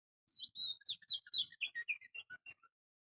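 A small bird gives a quick run of high, bright chirps and short whistled notes, about a dozen in three seconds, slightly falling in pitch toward the end.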